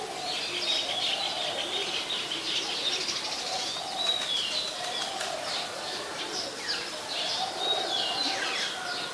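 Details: Olive-backed sunbird around a house, late afternoon of 23 March 2021: rapid high chips mixed with thin rising and falling whistles, over faint lower cooing and background hiss.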